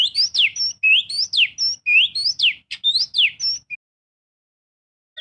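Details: Oriental magpie-robin singing as a lure for other birds: a steady, repetitive run of rising whistles, each paired with a steep falling slur and a thin high note, continuing for nearly four seconds.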